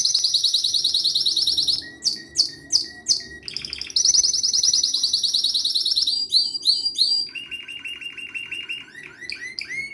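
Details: Pleasant canary song varying in style: loud rapid trills, bursts of slurred sweeps, another long trill, and a lower rolling trill near the end, all high and bright.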